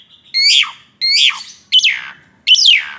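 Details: Asian pied starling singing intensely while performing a tripping display. Four loud, squawky, whistled notes come roughly every three-quarters of a second. The first two are flat and hoarse, and the last two rise sharply and then fall.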